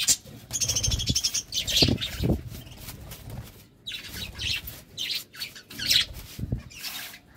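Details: Budgerigars in a love-time moment keep up busy, buzzy chatter with squeaky, grating notes, broken by brief pauses and soft low thumps.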